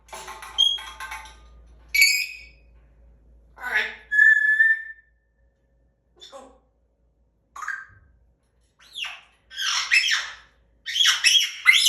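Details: African grey parrot about two years old, caged for making its "bad noise", giving bursts of shrill whistles and harsh squawks, some rising and some flat, separated by short pauses, with a person talking between them.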